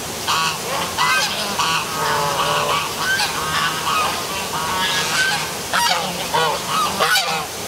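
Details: Noisy geese honking in the dark by a city waterfall in Milford, Connecticut, a dense overlapping chorus of nasal, bending honks from several birds, heard against constant rushing water and traffic.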